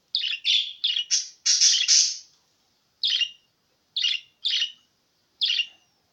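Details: Pet budgerigar chatter meant to set other budgies singing: a fast run of bright squeaky chirps and warbles for two seconds, then single sharp chirps spaced about a second apart.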